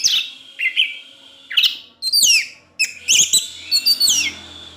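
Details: Pet orange-headed thrush with ngecip ngecis teler song: bright twittering notes separated by brief gaps, quick downward-sweeping whistles and sharp high squeaks over a faint steady background hum.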